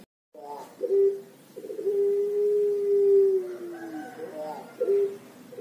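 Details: Pelung turtle dove from Java, Indonesia, a young bird: a brief cooing burst, a short pause, then a drawn-out, even coo that sinks slightly at its end, closing with a soft warble and another short coo.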